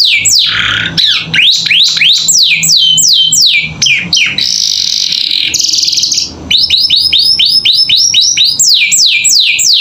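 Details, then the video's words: Richly varied canary song meant as master audio for young birds learning to sing: swooping downward whistles, two hissing buzzy bursts, then rapid arched notes and falling sweeps. "Masteran Kenari Gacor Isian Cocok Buat Paud Belajar Bunyi"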